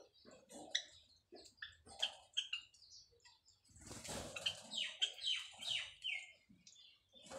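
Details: White Java sparrows kept for breeding, busy building a nest, giving a mating call: scattered short chirps and clicks with brief descending notes, separated by pauses, a denser burst midway, and soft rustling and wingbeats.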